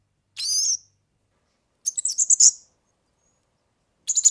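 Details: European serin song for tutoring young birds: a drawn-out high buzzy note, then a sputtering run of sharp high chirps, and another jingling burst begins at the end.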